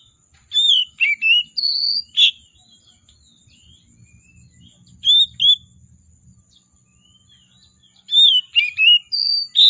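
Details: An oriental magpie-robin in heated singing, meant to provoke quieter magpie-robins into song. Bursts of sharp whistles and chirps come in clusters, with a pause of several seconds between them, over a thin constant high-pitched hum.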